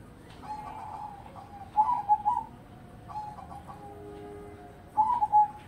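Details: Zebra dove cooing: wavering coo notes followed by a louder warbled phrase, a fainter level note, then another trilled phrase near the end, with low background hiss.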